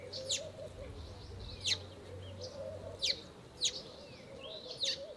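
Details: Garden Cape robin-chat, a melodious singer and accurate mimic that also scolds: five abrupt, high, sharp notes at irregular intervals of roughly a second, with faint whistles between and a low hum beneath.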